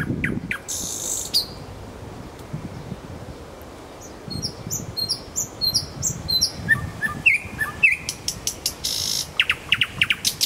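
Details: A nightingale in Kuzminsky forest park sings varied phrases: sharp opening notes, a pause, a string of high descending whistles, then clipped chirps and a quick stuttering series.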